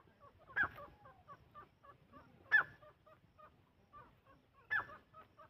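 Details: Francolin (teetar) giving short, loud harsh notes about every two seconds, over a steady background of soft, rapid clicking notes.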